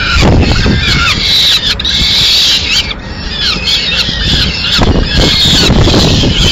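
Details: Peregrine falcons in Madrid, Spain, 30 April 2016, with the female bringing leftover pigeon: rasping, wailing calls run almost nonstop with brief dips, rapid choppy pulses at times, and a steady urban traffic rumble beneath.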